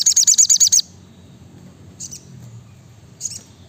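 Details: Brown-throated sunbird song: a fast burst of eight high, sharp repeated notes, then two brief high chips after a pause, over a low hum.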